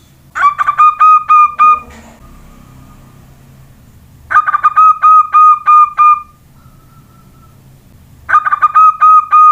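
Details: Young local Javanese zebra dove calling in reply to a person whistling: three bursts of quick, staccato, hollow coo notes, each burst followed by a thin steady human whistle, with a low background hum.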